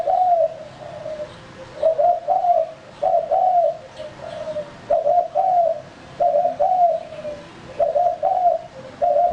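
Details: Male spotted dove kept as a lure bird, giving soft mellow coos in short two- to three-note phrases, repeated steadily with brief pauses, over a faint low background hum.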